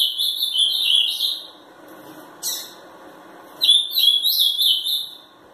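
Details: Ultramarine grosbeak, a three-year-old bird from Pelotas, Rio Grande do Sul, Brazil, described as angry, sings in two bursts of high, warbled whistled phrases separated by a quiet gap with a short sharp note, in a small room.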